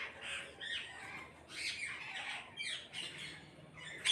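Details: Parrots calling together in a group: continuous rasping squawks and shrill chatter overlapping, with a louder harsh burst at the very end.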